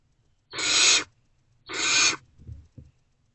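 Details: Unfed Great horned owl owlets in a nest box around 5:40 am, 3 March 2024, reacting to an adult: two long rasping hisses followed by faint soft bumps.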